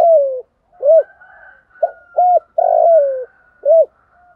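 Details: Spotted dove, a decoy bird calling the flock in the morning: soft mellow coos, a short note, a longer rolling coo sliding downward, then short rounded coos, repeated; a fainter second dove cooing in the background.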